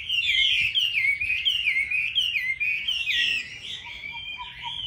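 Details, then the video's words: Song of a Chinese hwamei: quick, fluty whistles run together in a rippling, restless phrase. The bird then drops to softer notes near the end. "Mi đẹp vn9966. Giọng hay"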